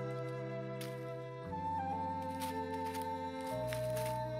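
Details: Gentle flute melody over sustained low instrumental chords, with no animal calls present.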